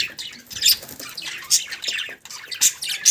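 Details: Budgerigars chattering in a dense run of scratchy, high chirps and squawks, with short loud bursts roughly every second over a constant twittering background.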